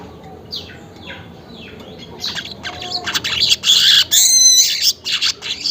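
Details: Weaver at dawn, about 5:40, starting with faint soft notes that swell into loud, dense, buzzing chatter with quick rattling bursts toward the end.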